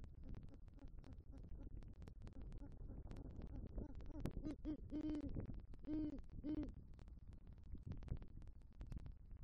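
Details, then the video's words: In a Southwest Florida nest tree on 3 November 2023, a male great horned owl delivers a rodent and calls for the female; after about four seconds of rustling, several deep hoots ring out, ending in two separate longer notes. "Male GHO Brings Rodent Prey To Nest & Calls For Female"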